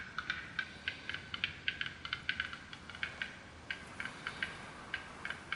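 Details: A male black-billed capercaillie sings to attract a mate in April at winter's end in the Greater Khingan Mountains, China, competing with a rival male. Its dry, sharp, wood-tapping clicks come two or three a second over faint hiss.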